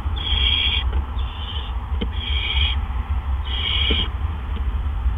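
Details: Barn owls at a nest on the evening of April 17 2013, around 8 PM, as two adults deliver gophers one right after the other; harsh hissing bursts just under a second long, repeated four times over a steady low hum.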